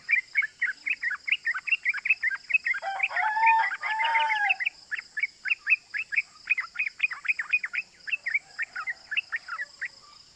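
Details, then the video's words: Gacor trucukan (yellow-vented bulbul) calling 'cuk cuk' as a lure to provoke other bulbuls: quick chipping notes, briefly overlaid by a harsher, fuller chattering burst around three to four seconds, then clear repeated chips again. "Pancingan Trucukan Gacor Ropel Bikin EMOSI❗ Suara Cuk Cuk GAMPANG DITIRU bikin semua trucuk EMOSI"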